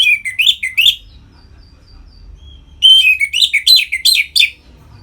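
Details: Captive orange-headed thrush song used as a trigger for other birds: rapid chattering, warbled phrases rising and falling, two separate bursts divided by a short quiet gap with a faint thin whistle.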